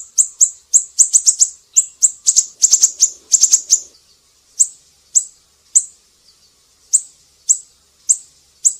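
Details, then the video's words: Siri-siri bird singing actively, recorded as a tutor track for songbirds such as cucak ijo, murai batu and kacer: sharp, very high chirps in quick bursts, then spaced single notes about every half second. "Masteran burung siri-siri GACOR"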